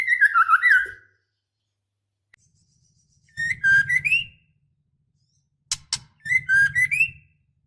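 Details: Breeding female white-rumped shama calling the male: a wavering whistled phrase opens, followed after a pause by phrases of short slurred whistles rising in steps, with two sharp clicks between them.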